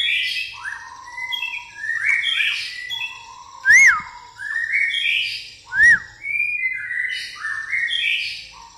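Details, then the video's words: White-rumped shama delivering a pastol song with fighting-sparrow fill: rich cascading whistled phrases, interrupted twice by loud clear arched whistles, the phrases repeating with bright buzzy overtones. "murai pastol isian gereja tarung"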